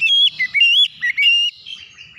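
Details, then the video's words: Strong, clear whistled song of an oriental magpie-robin: rapid rising and falling slurred notes in a continuous phrase, fading into soft chirps. "terapi Kacer bahan langsung ngeplong buka paruh gacor power suara keras"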